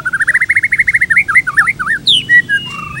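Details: White-rumped shama singing lively pancingan lure song for murai training: a fast series of looped whistled notes speeding up, then sweeping curly whistles, a sharp high downslurred note and a few clear level whistles.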